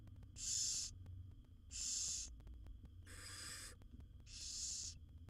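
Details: Wild barn owl owlets in a monitored nest box, seven young being fed by their mother, giving harsh hissing, snore-like begging rasps about half a second long, four bursts with short gaps, under a low steady hum.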